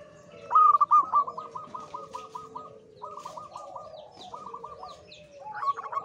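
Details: Male local zebra dove in high breeding condition, kept as a lure: long runs of rapid, evenly spaced cooing notes, broken by short pauses, with a faint lower hum beneath and a loud closing flourish.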